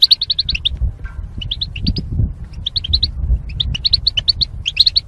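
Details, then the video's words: Rapid ringing chirps from caged goldfinch mating pairs kept apart by wire partitions, opening with an evenly spaced run, then shorter groups after a pause, over a low rumbling background. "Goldfinch Chirping Sounds"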